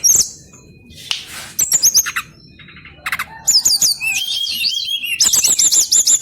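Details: Brown-chested jungle flycatcher singing in the long rolling ngeroll style: high whistled notes and fast descending trills, broken by sharp clicks and a brief noisy burst, with quieter gaps between phrases.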